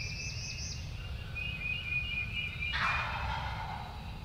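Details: Gobbler wild turkey heard in Tennessee on the 2023 spring season opener, delivering a single abrupt, throaty rattling gobble after whistled songbird phrases.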